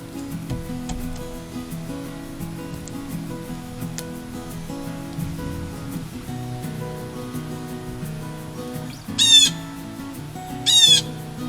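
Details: A Blue Jay at a snowy backyard deck feeder in the Mid-Atlantic gives two harsh, grating scolding screams about a second and a half apart while buzzing a crow, over steady background music.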